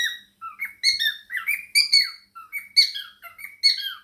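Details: Indoor male cockatiel chattering and singing while dancing, budgies nearby; short run of squeaky, harmonic chirps, some rising and some falling, in uneven clusters.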